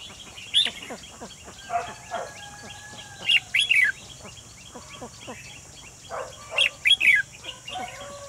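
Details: Red-whiskered bulbul singing as a trap decoy to catch a wild bird, 28 June 2020; clustered bright chirping phrases of three or four notes, repeated a few seconds apart, over steady tones and other faint bird calls.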